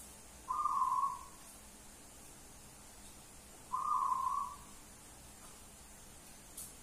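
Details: Wild local zebra dove heard at a distance, two short buzzy trilled coos roughly three seconds apart against steady background hiss.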